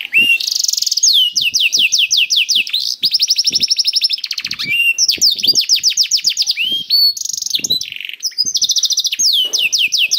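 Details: Canary in full song, used to coax silent canaries into singing: long unbroken stream of high trills, rapid downslurred whistle series and buzzy rattles, switching pattern every second or two, with soft clicking underneath.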